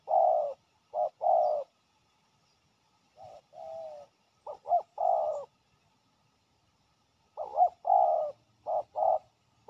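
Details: Fierce resident male spotted dove approaching a decoy set on the ground, uttering low mellow coos in uneven clusters of short and drawn-out notes separated by brief pauses.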